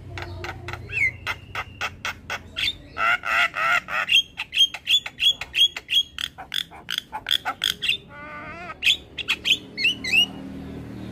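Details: Full-filler master song of a Javan myna, meant to get other mynas responding: fast runs of hard clicking squawks, buzzy nasal phrases, a series of short level whistles, then rising squeaky upslurs.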